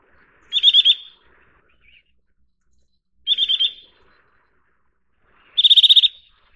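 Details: Eurasian nuthatch (Sitta europaea) repeating high, fast trills three times, two short runs of four or five notes and a final longer, louder trill of about ten rapid notes.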